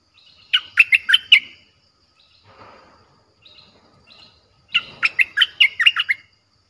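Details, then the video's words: Lure recording of a fierce-sounding Streak-eared bulbul song for wild birds: a phrase of four rapid bubbly notes, a pause with faint soft calls, then a longer run of about seven quick chirps. "เสียงนกดอกแตงEp.98เสียงดุดัน เปิดต่อนกป่าตัวดุๆ"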